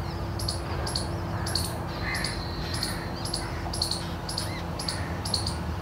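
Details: Pair of Jungle Babbler chicks begging below their nest in a bamboo thicket, necks shaking and beaks open: thin, high, clipped chirps repeated rhythmically about twice a second, with a faint steady hum behind.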